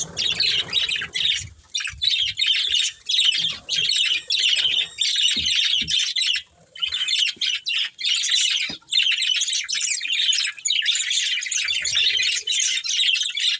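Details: Breeding pair of budgerigars: continuous busy warbling and chattering, a dense stream of scratchy chirps and squeaks in bursts broken by brief pauses, with occasional soft low knocks in the background.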